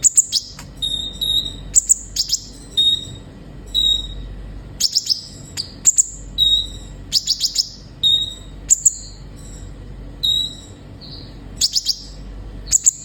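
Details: Sunbird song played as therapy to get captive birds singing: high, thin chirps and brief pure whistles in quick clusters, with bursts of sharp ticking notes, repeated over thirteen seconds against a faint steady hiss.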